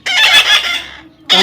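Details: Baby parrot giving a loud, harsh, raspy screech lasting about one second, then a short pause before a second harsh call begins.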